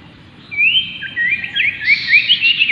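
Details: Common iora (Aegithina tiphia) singing, a recording meant to spur other ioras to sing: a quick run of bright, overlapping upslurred whistles that rise and tumble over about two seconds, with faint low background hum.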